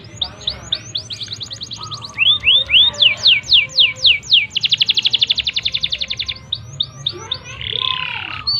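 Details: Canary in full song, used to trigger other canaries into singing fast: quick falling whistled notes, a long even buzzy roll, and a bright rattling trill ending in softer chirps.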